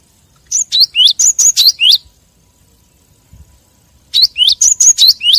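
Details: Great tit lure call used to attract wild birds: two bursts of seven or eight sharp, high whistled notes, each dropping in pitch, delivered quickly in a row with a short pause between bursts.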